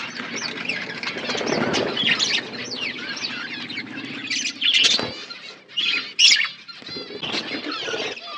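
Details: Budgies feeding in an outdoor aviary: dense overlapping chirps and warbled chatter from many birds, interrupted by loud flapping wings and a few sharp squeaks.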